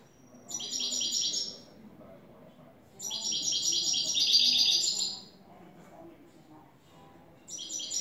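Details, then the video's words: European goldfinch, described as a new bird, singing in the clean-song style called "el tres vueltas": bright, tinkling twittered phrases in three bursts, the longest about two seconds, separated by quiet gaps with faint low background noise. "Jilguero a cante limpio " el tres vueltas""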